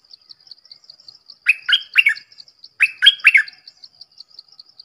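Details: Red-whiskered bulbul delivering two bright, bubbly phrases of three quick notes each, a second apart, against a regular thin high ticking sound that runs throughout.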